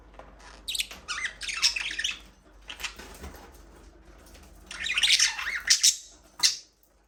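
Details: Budgies talking and singing in their aviary: a warbling, twittering chatter of rapid high chirps and squeaky notes comes in two long bursts, separated by a quieter stretch of softer calls.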